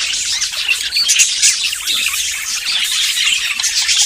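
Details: Courting budgerigars ready to breed chatter nonstop, a bright jumble of trilled warbles, clicks and sharp high squeaks.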